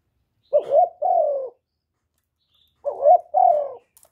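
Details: Captive spotted dove used as a lure, cooing twice. Each phrase is a quick rising note followed by a longer, gently falling hoot, separated by more than a second of quiet.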